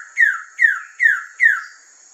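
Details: Wilson's bird-of-paradise on Waigeo in July 2024, giving four clear whistled notes, each sliding downward, spaced evenly about every 0.4 seconds, over a steady high insect-like tone.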